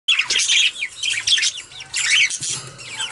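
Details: Pet budgerigars chirping while they bathe, a dense stream of high, quick warbled chirps and squeaky notes with brief pauses, mingled with splashing and fluttering.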